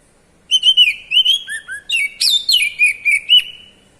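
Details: White-rumped shama giving kacer ngeplong calls: a rhythmic run of roughly twelve bright whistled chirps, two lower notes near the middle, sharp high sweeps after, ending in a drawn-out fading tone.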